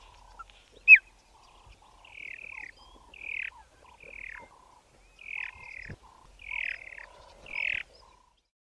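A Bokmakierie pair duets: bright, ringing whistles slurring downward, repeated about once a second, interleaved with the partner's lower, hollow notes. The background is quiet.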